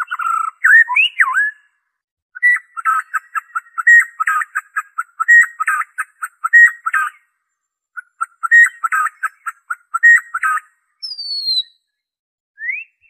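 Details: White-rumped shama in its original song without fill-ins, used to trigger singing in kept birds: a looping whistled opening followed by long runs of rapid, evenly repeated chattering notes, briefly paused, then a thin descending whistle and short upslur.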